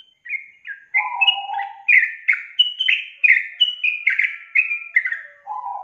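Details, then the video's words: Sooty-headed bulbul lure song aimed at getting a young, quiet bird to sing: a continuous string of bubbly descending whistled notes with a low warbled phrase near the start and end. "SUARA PANCINGAN BURUNG TRUCUKAN untuk memancing trucuk bakalan malas bunyi"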